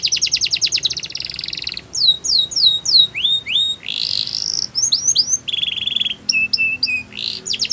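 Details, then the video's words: Canary song for training: rapid trill opening, then repeated downward and upward whistled slurs, a sustained rising whistle, and a row of flat pure whistled notes near the end. "Best Canary Sounds !! Suitable For Canary Training"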